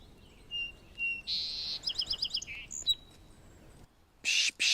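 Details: A Song Sparrow in forest at Birch Bay State Park, north Puget Sound, in March, sings two clear notes, a buzzy burst, a quick run of bright notes, then a closing buzz and thin whistle; two loud hissy bursts (pishing) follow.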